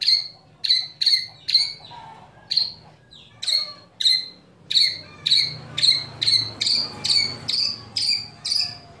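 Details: Murai batu, or white-rumped shama, kretekan calls meant to rouse other shamas to sing: a run of about eighteen sharp, high, clicking ticks, evenly repeated roughly twice a second and speeding up slightly.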